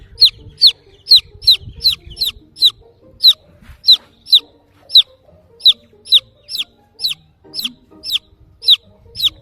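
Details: Young chick crying for its mother hen: insistent, shrill, falling peeps in an almost continuous series, with faint steady tones and low rumble behind.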